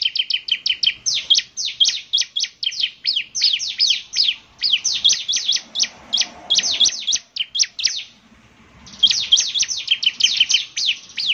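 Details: Bar-winged prinia in full, energetic song: a long, rapid run of sharp, high downslurred chirps, almost continuous, with one brief pause before the chatter resumes.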